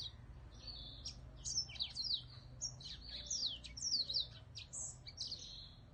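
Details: Cage-kept whitetip singing continuously: bright, high, scratchy twitters and short whistled sweeps tumble together in quick succession over a soft hum.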